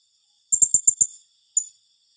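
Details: Blue-crowned hanging parrot giving a rapid-fire 'tembakan rapat' call said to rattle rival birds: five sharp, very high squeaky notes in quick succession, then a single matching note after a short pause; otherwise quiet.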